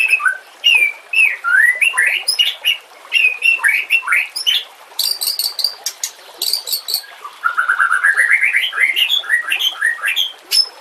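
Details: Energetic White-rumped shama song in 'nembak kasar' style for training other birds: bursts of slurred whistles alternate with very high clicking chatter, ending in a rising ladder of quick notes.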